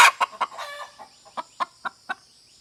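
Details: Hen clucking: a burst of loud, throaty clucks, then single short clucks repeated about every quarter second, fading slightly in loudness, against an otherwise quiet background.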